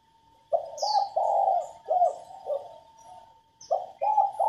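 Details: Cooing by a female spotted dove to stir males into cooing and gurgling. Low hoarse coos run in a phrase that fades, then restart with a quick pair. High thin chirps sound above them.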